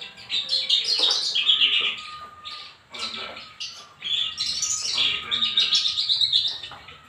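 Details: Kept Javan bush lark delivering long run-on phrases of shrill chirps, rasping notes and trills, pausing briefly near three seconds before another sustained, chattering burst; a faint steady tone runs underneath.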